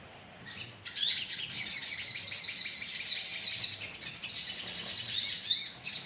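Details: Colony of sogon birds heard in a lure recording; after a brief opening note, a continuous dense chorus of thin, high, buzzy twittering runs almost unbroken for about five seconds.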